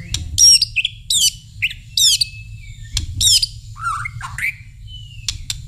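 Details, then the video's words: White-rumped shama singing loud, varied phrases of rich rolling whistles and sharp chips, each burst under a second, over a low steady hum and a thin held whistle; whistling prompts the shama to answer at once. "Suara siul bikin murai langsung nyaut"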